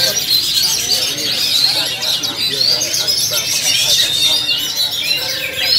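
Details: Two kept oriental magpie-robins (kacer) of Sumatran origin singing together in South Cikarang, Indonesia, described as performing exceptionally; dense stream of high, varied whistles and trills, overlapping phrases running continuously throughout.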